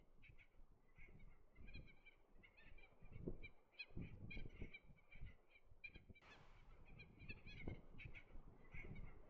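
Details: Red-tailed tropicbird calling during courtship flights above sea cliffs on Lord Howe Island in a breeze; rasping, ratchet-like calls repeat in quick bursts throughout, with low wind buffeting and one loud gust-like hiss.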